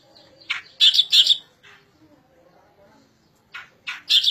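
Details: Striated grassbird singing: short bursts of harsh, scratchy, buzzy notes in quick pairs, separated by near-silent pauses, with faint low murmuring in the gaps.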